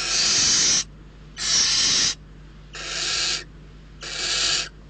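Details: Hungry barn owl chicks in a nest at Riet Vell Nature Reserve, Ebro Delta, Spain, competing for prey brought by an adult, give four harsh, rasping hisses, each under a second, about a second apart, over a faint low hum.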